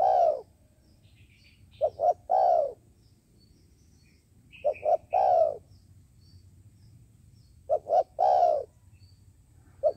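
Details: Dove kept as a trapping decoy giving repeated cooing phrases: two short quick hoots then a longer drawn-out coo, every three seconds, with a few faint high chirps from other birds.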